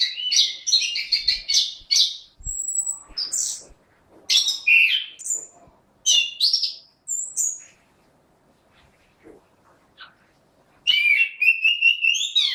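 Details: Energetic song from a caged orange-headed thrush, with fast chattering and whistled notes, a thin high held whistle, then a long silent stretch before another rapid burst of varied phrases.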